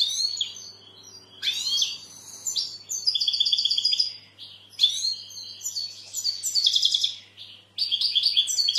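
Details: European goldfinch singing an almost continuous twittering song of sweeping slurs, buzzy trills and tinkling repeated notes. Loud, busy phrases come one after another.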